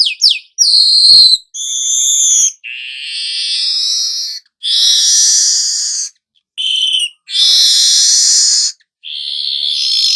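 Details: Weaver song, meant to make the bird sing: long harsh buzzy hisses and sizzling phrases repeated with short gaps, some stuttering high notes between.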